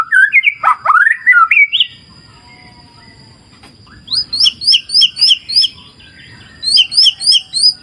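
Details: Murai batu, the white-rumped shama, in a wild clear-river setting: a twisting whistled phrase, a stretch of running water, then fast repeated high thin chirped notes in two bouts.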